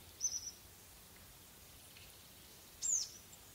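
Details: Crested tit giving high, thin calls: a short stuttered trill at the start and a longer descending, slightly buzzy note near three seconds, with faint hiss between.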